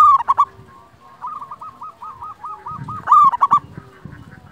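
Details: Zebra dove of a local type, recorded to lure doves and build their drive to sing. Loud cooing phrases of rapid stuttering notes open and close the recording, with a soft, steady rolling trill of coos between them.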